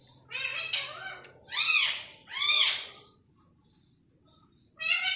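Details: Pet green parrot talking like humans: three drawn-out, nasal, arched speech-like phrases with rich harmonics, separated by short pauses, then a quiet gap and a final abrupt burst at the end.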